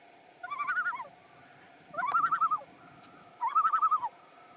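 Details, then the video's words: A Common Loon on a lake in Maine gives three quick, wavering, laughing tremolo bursts about 1.5 seconds apart, over a faint hum. The tremolo signals agitation at a threat such as eagles, boats or float planes. "The tremolo is when loons are agitated. Usually some kind of threat."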